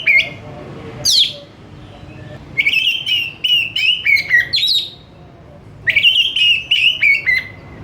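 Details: Oriental magpie-robin (kacer) singing in a lively, responsive 'gacor' style: loud whistled phrases with sharp upward sweeps and warbled notes, given in bursts separated by short pauses.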